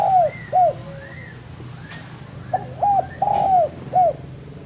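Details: Spotted dove song, recorded as training material for cage birds: two quick hooked coos, then a three-part phrase with a long drawn middle coo and a short falling end note. Faint higher arched notes sound in between.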